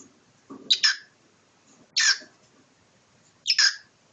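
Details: Pet cockatiel battling its owner: three grating, raspy squawks spaced over a second apart, the first doubled, over low rustling from handling.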